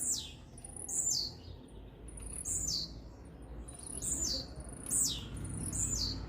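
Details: Fast song of a blue-black grassquit aimed at another bird, a string of piercing, high, buzzy notes falling in pitch, delivered in quick succession about once a second over a low rumbling background.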